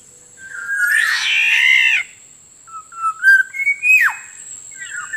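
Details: Black-naped Oriole lure recording for attracting wild birds: a fluty whistle, then a long harsh nasal squawk, then short liquid whistled notes gliding between pitches. A steady high electronic tone sounds throughout.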